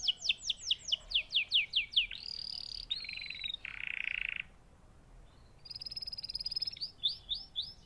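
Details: Canary song opening with a quick series of about ten descending chirps, followed by buzzy rolling phrases, a short pause, and more high trills and chirps.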